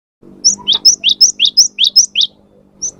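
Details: Cinereous tit song used as a lure to make a kept bird respond and sing: a brisk series of alternating high and lower clear whistled notes, about ten in a row, then a single high note after a pause.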